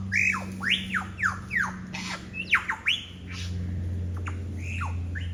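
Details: A lyrebird in Sydney's Royal National Park imitates other birds along a forest walk: a series of loud, clear downward-slurred whistles about every half second, some rising sharply, then quieter, with a constant low hum behind.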